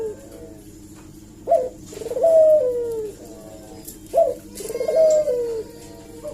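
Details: Eurasian collared dove call used as bait for a reply. Two matching phrases about three seconds apart each open with a sharp rising note, then a burry rolling coo that drops away in a long downward slide.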